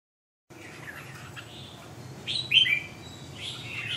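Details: Red-whiskered bulbul singing: after half a second of silence, a faint hiss, then a bright slurred whistled phrase near 2.5 seconds and a softer warbled note near the end.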